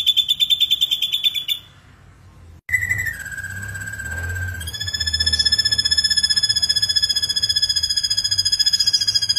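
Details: Ashy drongo in full gacor song: a buzzy pulsed trill, a pause, then long steady whistled tones that step down and hold, with rich layered overtones and a fast pulsing rhythm.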